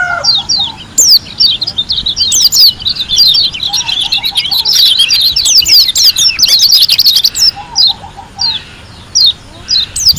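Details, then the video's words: Lombok white-eye in full wild-style song: a long, dense stream of rapid high twitters and sharp whistled slurs, thinning out toward the end. Low rolling trills sound twice in the background. "KUMPULAN SUARA PLECI GACOR ASLI DARI LOMBOK‼️ SUPER NGALAS TEMBAKAN MEWAH"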